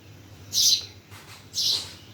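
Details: Two loud, high, hissy chirps from a bird at Bhimtal, one second apart, over quiet background.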